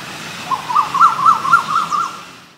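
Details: Male Asian koel (Eudynamys scolopaceus), a brood-parasitic cuckoo, giving a quick run of about seven rising, fluty notes in under two seconds, with faint high chirps from another bird.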